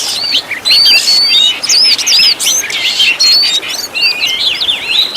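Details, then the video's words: Continuous high whistled phrases and twisting slurs from an Oriental magpie-robin (kacer), used as a master song with lavish 'tembakan' fill-ins to train caged birds; loud, rapid and varied, with brief pauses. "MASTERAN BURUNG KACER FULL ISIAN TEMBAKAN MEWAH LENGKAP"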